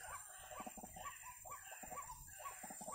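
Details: White-breasted waterhen (wak-wak, baburak) in a trapping context, giving quick repeated throaty croaks in short bursts, partly blurred by low rumbling background noise and a steady high whine.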